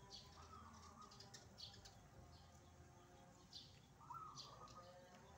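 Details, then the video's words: Wild zebra dove singing actively outdoors, a faint, soft cooing phrase of stepped notes heard twice, around the first and fourth seconds, under steady low background noise with scattered sharp chirps from other small birds. "PERKUTUT LIAR GACOR"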